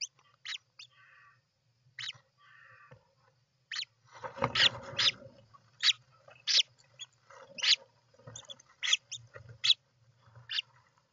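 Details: At a European roller nest on 29 June 2024, short scratchy calls come in clusters, with a dense rasping outburst around the middle and then repeated sharp, clipped notes, all over a low steady hum.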